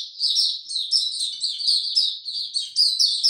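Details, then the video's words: White-eye singing in warm, very humid weather on 26 March 2022: a continuous, high, rapid warble of thin twittering notes, slurring up and down without pause, with no other sounds. "Mata Puteh Hercules buka sing"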